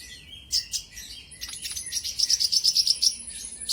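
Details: Olive-backed sunbird (konin, kolibri ninja) lure song meant to provoke a rival into singing; thin high chirps, then a fast run of sharp repeated notes about five per second, rising in loudness toward the end.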